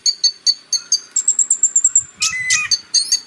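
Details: Purple-throated sunbird (kolibri ninja) giving a brisk series of high, sharp chips, then a quick run of thin whistled notes and a few harsher squeaks.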